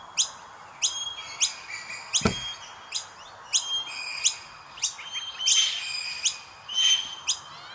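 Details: Common myna chicks begging during feeding, a busy run of high, clipped chirps and short whistles repeating every half second or so, growing denser toward the end, with one dull knock early on.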